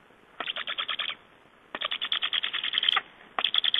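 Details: A Black Stork at feeding time in Estonia, 24 August 2011, during the breeding season, gives three bursts of harsh, rasping pulses, about eight to ten a second, high and even in pitch.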